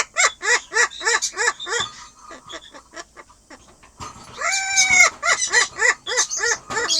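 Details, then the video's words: Pet Amazon parrot in a cackling laugh: rapid repeated harmonic notes, about three per second, broken by a longer held tonal note midway, then more rapid laughing notes. "どるちゃんの高笑い Parrot ボウシインコ"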